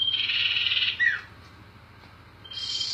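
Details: Sirtu bird in lively song: a buzzy high phrase over a thin steady whistle, ending in a short falling note, a pause, then another high buzzy phrase begins.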